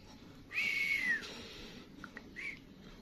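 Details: Young canary practising lolohan song: a sustained whistled note that slowly slides downward, then short soft chips and a brief higher whistle, heard in a quiet indoor room.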